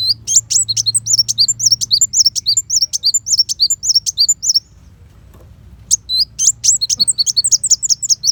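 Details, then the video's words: Van Hasselt's sunbird (kolibri wulung) pours out dense, very high twittering chirps for over four seconds, falls silent for more than a second, then resumes the fast piercing run; a master track for white-rumped shama. "Pancingan Kolibri Wulung Full Tembakan Besetan Pedas"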